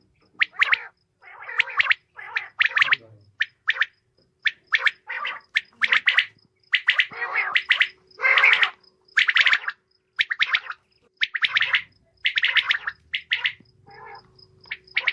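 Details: Female common quail giving a long run of harsh, gargling notes in uneven bursts, sometimes single and sometimes grouped in twos and threes, with a faint steady hum underneath.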